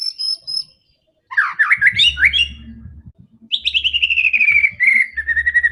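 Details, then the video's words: Aggressive white-rumped shama song for provoking other shamas: high whistled notes, a jumble of rapid warbles, then a long falling trilled whistle settling into steady notes over a low background hum. "MURAI BATU GACOR‼️ SANGAT FIGHTER DAN GANAS UNTUK PANCINGAN MURAI ANDA"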